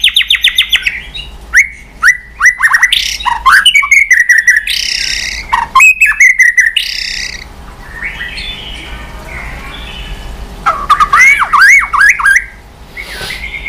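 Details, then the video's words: White-rumped shama provoked into strong song, constantly beating its tail: rapid clicks and ticks open into loud whistled sweeps, harsh buzzes and twisting warbles, with a softer stretch before a final burst of rich phrases. "Chòe Lửa kéo dây yến đảo giọng đập đuôi liên tục. kích Chòe Lửa hót căng"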